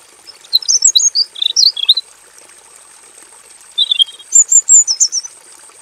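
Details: Robin singing vigorously with full variation in a simple aviary cage, recorded as a tutor song for training other birds: two bursts of quick, high, sweet twittering notes with a gap between, over a steady faint high hiss.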